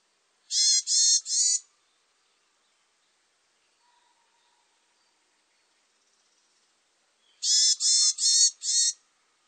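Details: Varied tit: a burst of three rapid, buzzy, nasal notes rich in overtones, then about six seconds of near silence before a second burst of four matching notes; quiet background with no other clear sounds.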